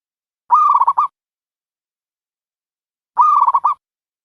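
A dove gives two short, rolling phrases of quick, wavering coo notes, about half a second each and spaced a few seconds apart, against a quiet background.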